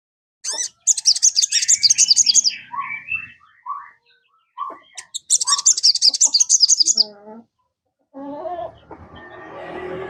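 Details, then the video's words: Lure song of a sogon, played so a kept bird joins in fast: two bursts of rapid, high, buzzy twitter, each followed by descending chattered notes, then a low nasal series and noisy rasping. "PANCINGAN SOGON. BIAR SOGON MU IKUT CEPAT RAJIN BUNYI"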